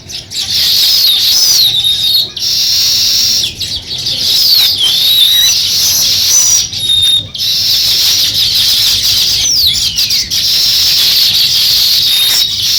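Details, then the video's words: Sparrow chirping while beginning to build its nest; a dense run of high, sliding chirps carries on throughout, interrupted by short gaps. "Sparrow Chirping Sounds | Sparrow start to Build Nest"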